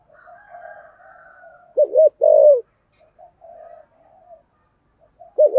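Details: Spotted dove kept as a decoy, voice style 'thổ', aimed at luring wild doves; soft murmuring gives way to a loud double coo and drawn-out falling note, then a final phrase beginning at the end.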